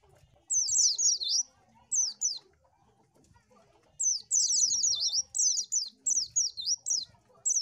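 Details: Oriental white-eye giving bright, very high, quick twittering bursts: an opening phrase, a short fragment, a quiet gap, then a long run of choppy repeated slurs.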